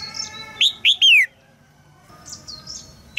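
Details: Female red-whiskered bulbul, caged, calling to stir a young male into song; a quick run of three loud chirps, the final one a long downward slur, followed by soft high twitters.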